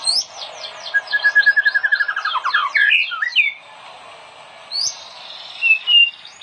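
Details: White-rumped shama singing, a master recording for training other shamas; a quick series of descending chips and a rapid rattling run, then a pause and a few sharp whistled notes.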